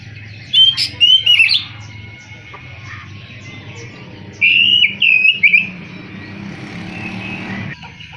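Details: An Oriental magpie-robin gives two short clusters of sweet whistles and twisting notes, with a gap of several seconds between them. A faint hum and soft background noise are present.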